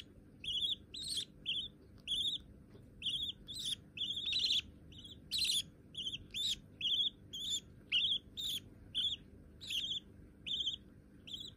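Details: Pet budgerigar chicks, white babies already tame enough to perch on a hand: steady series of raspy, slightly rising chirps, near-continuous for over ten seconds, roughly one per second or faster, in a quiet room.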